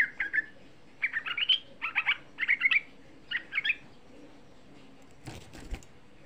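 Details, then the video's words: Lure song of a young sooty-headed bulbul meant to excite other bulbuls to answer: short clusters of two to four quick, liquid chirps repeated about every second, ending with a brief rustling thump. "Suara Pancingan Trucuk Muda Ampuh Menaikkan EMOSI, Suara Trucuk Muda Bikin Semua trucukan EMOSI"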